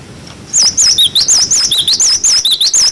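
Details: Clear "wucit wucit" song of a cinereous tit, used as a tutor for young birds: an energetic string of about twelve high, wavering whistles that alternate between upper and lower notes without pause for over two seconds.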